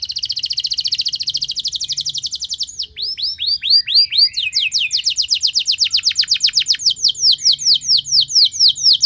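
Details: Canary singing a loud extended lure song to encourage other canaries: a dense rapid trill, a few arched whistles, then a long series of quick downward-slurred notes.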